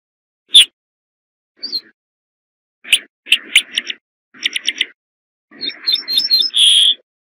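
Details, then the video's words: A corn bunting delivers isolated ticks, then groups of accelerating clicks, finishing with a jangling trill and a sizzling buzzy end. The song is heard against silence. "صوت درسة الشعير 3"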